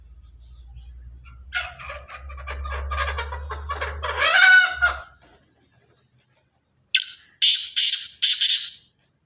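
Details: Black francolin of pure Sindhi stock calling: a rough, grating series of rasping notes swelling over several seconds over a low hum, a short silence, then three loud scratchy bursts in quick succession.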